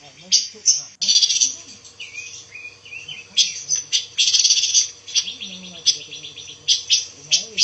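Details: Pancawarna bird, a songbird kept as tutor material for white-rumped shamas. A dense, busy run of high chirps and rapid twittering with short gaps between phrases, and a man's voice faint in the background.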